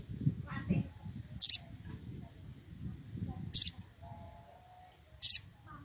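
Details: Excited wild rufous piculet seeking a rival: three doubled, very high, piercing notes spaced about two seconds apart, with low rustling noise throughout.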